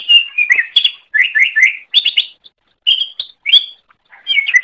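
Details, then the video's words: Greater green leafbird song for training other songbirds: phrases of rapid warbled whistles and chips, repeated in short bursts split by brief silences, with clean quiet background. "Masteran Suara Cucak Ijo"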